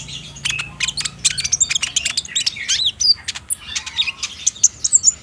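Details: Olive-backed sunbird of the trotol type, captive, played at midday as a lure to make a caged bird answer and sing, recorded on a Samsung J5 phone: rapid high twittering chirps and thin squeaky whistles in dense, irregular bursts.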